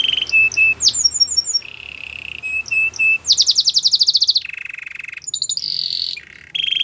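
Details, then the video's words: Belgian canary song for training, built from varied tours: clipped doubled notes, steady flat trills, a fast rattling run of high notes and several lower buzzy rolls. "Canary singing for training | Belgian canary"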